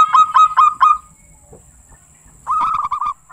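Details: Local zebra dove, a kept bird recorded for a lure track: four ringing coos in quick succession, a pause with soft background noise, then a fast rattling run of short notes.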